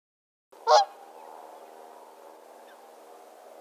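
A whooper swan gives a single loud, brassy, trumpeting honk, then steady low background noise follows.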